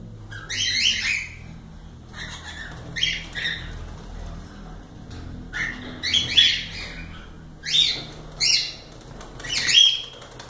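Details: A group of cockatiels giving harsh squawking calls in irregular bursts, some ending in a brief whistled note, with soft background noise between them.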